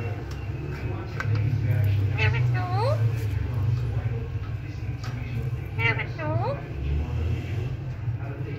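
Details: Alexandrine parakeet, an Indian talking parrot, mimicking human speech indoors. It produces short nasal word-like phrases with rising, sliding tones, including a "hello", against a steady low hum.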